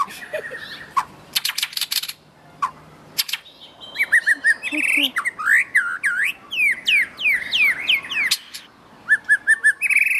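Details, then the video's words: Melodious song of a wild white-rumped shama: a rich, fast medley of whistled slurs, sharp chips and clicks, with rapid up-and-down sweeping notes in quick series, broken by short pauses. "𝗦𝘂𝗮𝗿𝗮 𝗞𝗶𝗰𝗮𝘂 𝗕𝘂𝗿𝘂𝗻𝗴 𝗠𝘂𝗿𝗮𝗶 𝗕𝗮𝘁𝘂 𝗔𝗹𝗮𝗺 𝗟𝗶𝗮𝗿 𝗠𝗲𝗿𝗱𝘂 𝗚𝗮𝗰𝗼𝗿-𝗞𝗶𝗰𝗮𝘂 𝗕𝘂𝗿𝘂𝗻𝗴"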